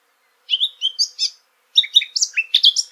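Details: Two bursts of lively, twittering warble from a Eurasian blackcap, each a fast run of high chirped notes, with a short silence between them.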